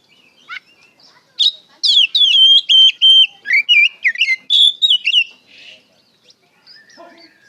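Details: Oriental magpie-robin lure song in the open 'ngeplong gacor' style, aimed at getting young birds to answer: faint chips, then a loud three-and-a-half-second phrase of varied whistles and rapid trills, ending in soft calls.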